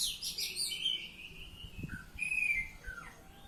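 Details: Ngeplong-style song of an Oriental magpie-robin: bright high chirps at the start, then long level whistled notes and a falling slur, over faint low thumps and hum.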